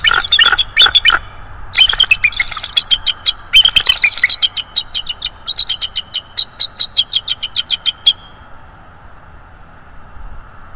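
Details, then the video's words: Bald eagle subadult of 3–4 years at a nest, December 2022, opens with loud squealing notes, then a long even series of quick high chips, about three per second, that ends abruptly into quiet. "The beautiful sub adult with haunting vocals"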